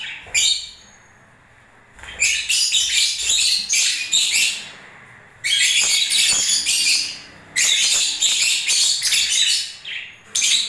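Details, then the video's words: Lovebirds in breeding season, singing and moving about, give repeated loud bursts of shrill, rapid twittering chatter, each lasting one to two seconds, with short quieter gaps between them. "Love birds singing and movements"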